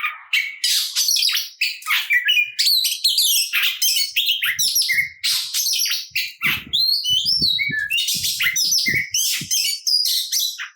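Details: Provoking fighting song of an Oriental magpie-robin: nonstop harsh, churring and chirping phrases, then a string of clear looping whistles, with low thumps in the background.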